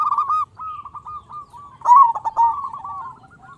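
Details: Local zebra dove singing actively with a big voice, used as a lure to get other zebra doves calling: rapid rolling cooing notes at mid pitch, a short phrase, a pause, then a louder, denser burst near the middle.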